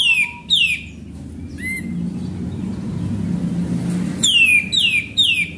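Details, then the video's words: Sooty-headed bulbul in full, lively song, played as a lure: loud, sharp whistled notes that slide steeply downward, given in quick bursts of two or three at the start and again after four seconds, with a quiet low rumble between. "Pancingan Burung Kapas Tembak Gacor"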